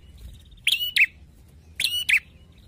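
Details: Bar-winged prinia singing two quick, harsh double notes, each a scratchy chirp followed by a sharper bright one, about a second apart, over low background noise.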